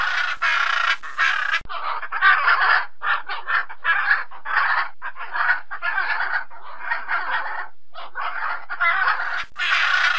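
A blue-and-yellow macaw gives loud, harsh, raspy squawks in a near-continuous run of rough bursts, with brief pauses between them.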